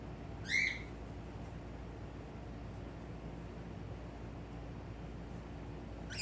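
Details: A male pet cockatiel at a mirror gives one short, harsh, rising squawk near the start, then a low steady hum until a second call begins at the very end.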